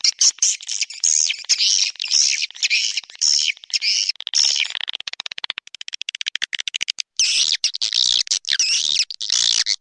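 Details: Clop tanjung style walet call for drawing swiftlets into bird houses: repeated high chirping bursts, then a fast run of dry clicks that speeds up and breaks off, followed by more twittering chirps.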